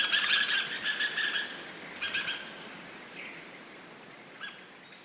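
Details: Dusky thrushes in a big flock flying about; dense, harsh chattering bursts in the first two seconds, then thinner, fainter single calls and short squeaks trailing off as the birds move away.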